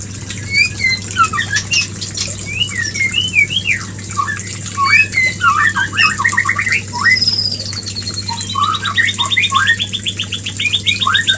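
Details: Mating call of the white-rumped shama, meant to trigger breeding: looping whistled phrases, then a long, fast, descending trill of repeated notes, over a background hum.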